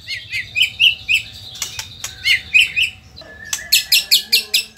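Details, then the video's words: White-rumped shama from Indonesia: scattered short, high chirps and clicks, broken by a loud rustle, then a fast run of sharp, dry ticking notes. "auto emosi !! murai gacor super figter | shama bird Indonesia"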